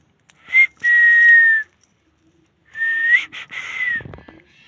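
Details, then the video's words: Parrot whistling a short note and a long level tone, then after a pause a rising whistle with choppy breaks, followed by a soft rumbling noise. "Parrot 🦜 talking very cute"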